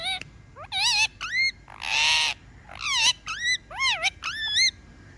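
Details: Pet talking parrot alternating bright looping whistles with a rough, buzzy squawk midway, notes coming in quick uneven bursts.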